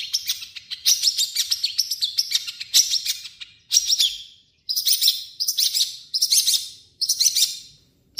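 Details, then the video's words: Mimicking long-tailed shrike (cendet) in full song, blending its own notes with copied calls of other birds: about eight quick bursts of scratchy, trilled high chatter, each fading out before the next begins. "MASTERAN BURUNG CENDET"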